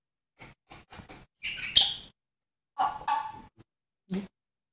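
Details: African grey parrot producing imitated animal noises: a few soft chirps, then a louder harsh squawk, a scratchy call and one last short note.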